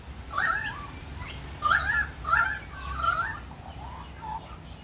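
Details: Australian magpies singing in a backyard in Australia during rain: mellow warbled phrases of slurred fluting notes in short bursts, with gaps between, over a steady hiss.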